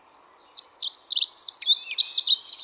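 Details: Dunnock song: a fast, scratchy, high warble of jumbled twittering notes that runs without a break for about two seconds, with a faint steady hum underneath.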